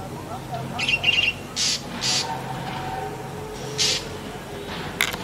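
Black drongo giving harsh, scratchy squawks and a quick metallic chatter, about four bursts over five seconds, with faint thin whistles and background hiss.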